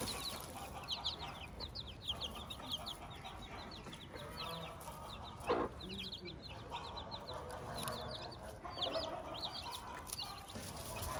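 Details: Chicks with their mother hen on a farm, many high, falling peeps overlapping in a busy chorus, with a brief sharp knock near the middle and a low farmyard background.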